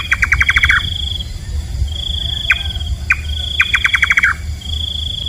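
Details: Nightjar, a night-feeding bird known locally as kaba, gives bursts of about eight sharp, rapid, downslurred notes, then single clipped notes, over an intermittent steady high insect-like whine.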